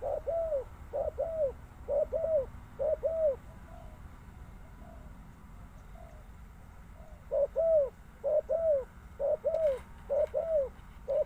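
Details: Spotted dove giving soft, low cooing phrases, a run of evenly spaced rounded coos, a pause of about three seconds, then another run, over a steady low rumble of background noise outdoors.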